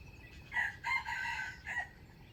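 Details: Wild chicken used for trapping, dated 05/07/2025, gives a single full crow. Two quick rising notes lead into a sustained raspy phrase and a short final drop, against a constant low-frequency hum.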